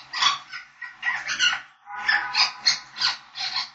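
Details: African grey parrots chattering and singing in a dense run of harsh, buzzy squawks and whistled notes, bursts roughly every half second, overlapping calls filling the whole stretch.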